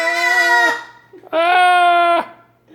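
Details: A pet cockatoo clearing its throat at a family breakfast gives two drawn-out, nasal, voice-like 'aah' calls, each under a second long at an even pitch, with a short pause between them.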